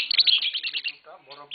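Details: Green Fischer's lovebird pair kept at home, the birds said to be mating; a brief burst of shrill, high chirps in quick succession, then a softer scratchy twitter.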